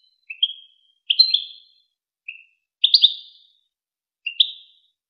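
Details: European goldfinch, from a recording made to train young goldfinches and hybrids: five brief tinkling chirp groups, some single notes and some doubled or tripled, with gaps between.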